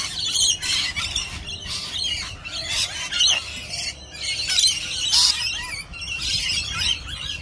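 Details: Crowd of rainbow lorikeets perched in a neat line-up, overlapping raspy, high-pitched squawks and chattering screeches, loud bursts rising and falling throughout.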